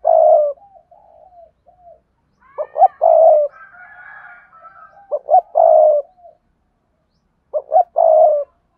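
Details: Calling recording of a spotted dove meant to lure wild doves, with sa thúc, gù and gáy styles. Three low burred coo phrases, each opening with quick hooked notes, plus soft murmuring coos and a faint higher warble between them.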